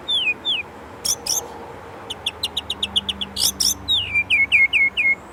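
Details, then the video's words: Indonesian white-rumped shama (murai batu) in lively 'gacor' isian song: downslurred whistles, a pair of harsh bursts, a run of short ticking notes, then a series of swooping whistles repeated about five times. "Murai Gacor isian Gurih"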